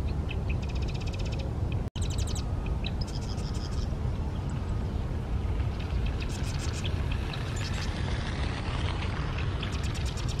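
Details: A marsh wren at Sunnyvale Landfill sings short, rapid, rattling trills, each about a second long, over a steady low rumble of wind or distant traffic.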